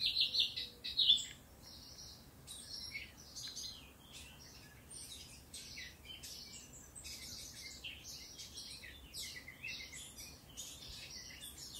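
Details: Eurasian blackcap song from Occitanie, southern France, recorded in 2022; a louder opening warble gives way to a long, softer stream of rapid, scratchy twitters and thin high notes.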